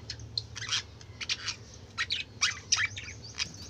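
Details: Noisy chatter from colourful budgerigars: quick bursts of warbled, scratchy chirps and squeaks, several birds calling over one another against a low droning hum.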